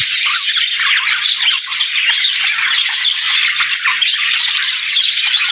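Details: Cheerful budgerigars at daybreak, chirping as they greet the day; a thick, unbroken wash of high squeaky chirps and scratchy warbles from a flock.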